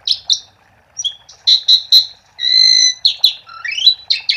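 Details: Asian pied starling singing vigorously, a lure for silent starlings: scattered whistles, then loud buzzy notes, a long steady harsh tone and a quick rising series of chirps and whistles.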